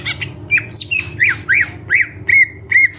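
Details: Lively full isian song of a greater green leafbird, made of clipped chirps followed by a string of sharp rising-and-falling whistled notes about three per second, with a faint low hum behind.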